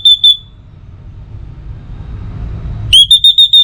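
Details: Tail of one phrase, then after a pause a sharp upsweep leading into rapid repeated high whistles from an orange-headed thrush, used to coax other birds into song at dawn and dusk.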